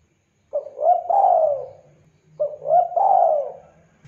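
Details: Spotted dove, a lively singer kept for luring and tutoring other birds, giving two clear low cooing phrases about two seconds apart, each a short note followed by a longer rolling, falling coo, with a faint low hum beneath.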